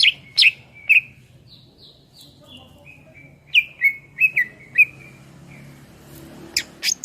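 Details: Greater green leafbird (cucak ijo) training song: sharp loud notes, a series of soft downslurred whistles, then spaced clear chips and a few high notes at the end.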